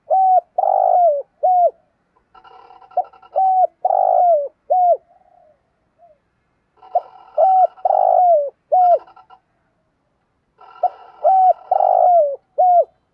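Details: Spotted dove; coo; luring rival males as a decoy bird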